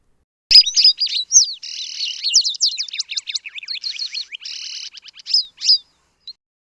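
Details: An African pied wagtail of southern Africa gives a lively, varied run of high chirps, slurred whistles and buzzy trills for about five seconds, with no other sounds.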